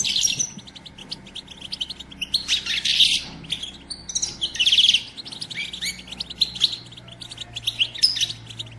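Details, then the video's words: Several European goldfinches in group batbata twittering, the female chatter used to prompt males to sing and mate: dense, overlapping high chirps and trills without pause, swelling into louder bursts at intervals. "بتبتة أنثى الحسون"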